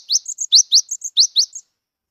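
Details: Wild-caught cinereous tit (gelatik batu, gelatik wingko), a species now rarely seen in the wild, singing as a lure to prompt silent birds to sing: high, rapid rising notes alternating with short level whistles, about seven notes in under two seconds.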